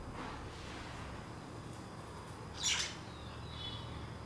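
A common myna gives one short, harsh, grating squawk, followed by a faint thin whistle, over a steady low rumble.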